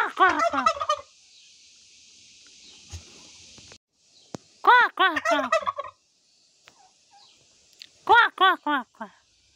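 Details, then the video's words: Turkey hen in a village in Nepal giving 'kor kor kor' calls: three loud bursts of rapid, arched, harmonic notes, each burst lasting about a second, separated by quiet stretches with faint hiss. "Turkey 🦃 Hen Sounding Kor Kor Kor"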